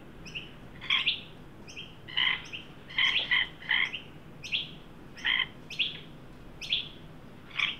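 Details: A juvenile Australian magpie, led by an adult to a new birdbath in a Sydney yard during a 43°C heat wave on 9 December 2023, gives short, high, scratchy calls once or twice a second over faint steady hiss.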